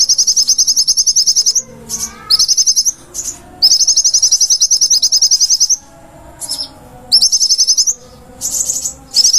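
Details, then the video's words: Konin singing lively and nonstop on a master recording used to train cage birds: bursts of very high, thin, rapid chirps, fast strings of sharp notes broken by short pauses. "Materan burung konin gacor 1jam full"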